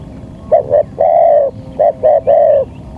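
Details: Local spotted dove lure call for attracting wild doves: two phrases, each of two short low coos followed by a longer drawn-out coo, with a steady faint background hum.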